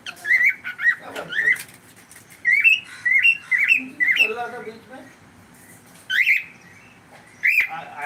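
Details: Pet cockatiel giving a run of short, bright, upslurred chirps in quick clusters, with pauses between bursts and a faint rough note midway; quiet room background.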